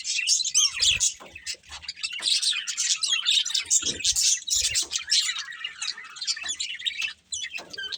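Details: Chattering budgies, a breeding pair, giving a steady stream of scratchy chirps and warbled notes, about two per second, with occasional soft thumps below.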